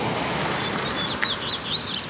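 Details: Wild black Double-collared seedeater, free rather than caged, singing a 'mexida' on a Sunday trip home: scattered thin high chirps and short slurred whistles, quickening toward the end, against a noisy background.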